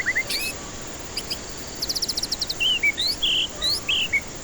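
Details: White-rumped shama song, a lure to prompt stressed birds to sing: short whistles, a rapid run of sharp high notes, then loud buzzy and slurred notes, over soft hiss.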